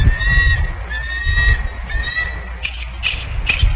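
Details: Bald eagle voices in Maine on 14 February 2009: high, thin whistled notes, each drawn out and slightly falling, repeated about every half second over low wind rumble, ending with a few brief sharp squeaks.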